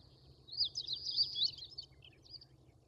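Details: Long-tailed rosefinch at Wakka Primeval Flower Garden, Hokkaido, recorded in early morning, giving calls and song: a quick, high twittering warble of slurred notes for about a second and a half, then a few softer chips, over a low hum.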